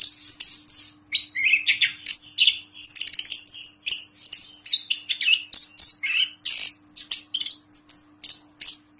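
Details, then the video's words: Champion caged orange-headed thrush from a President's Cup contest in Yogyakarta singing a long, rich medley of high whistles, chirps and rapid trilled phrases, nearly nonstop, with a low steady hum underneath. "Anis Kembang Gacor Ngeplong ISTIMEWA"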